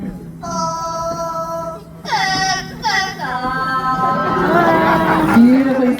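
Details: A talking parrot at African Lion Safari in Canada sings a few clear, tuneful phrases of the Canadian national anthem in a show, with crowd murmur behind.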